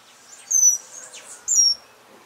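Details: Male Amazilia Hummingbird gives two thin, very high squeaky notes about a second apart, each a quick slurred twitter, over faint background hiss.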